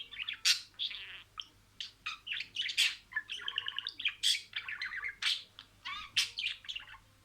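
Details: Pet budgerigar imitating words, a rapid chattering stream of warbled syllables, clicks and sharp chirps with short pauses, continuous over several seconds, indoors with a faint low hum behind.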